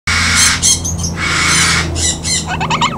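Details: {'caption': 'Pet parrot laughing and whistling: loud, harsh, rasping squawks in long bursts with rich overtones, ending in a rapid series of short, wavering whistled notes.'}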